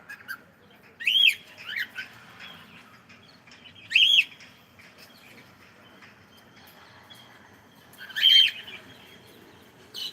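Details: Cockatiel greeting with good morning: three short, loud, whistled phrases spaced a few seconds apart, with quiet room hum between.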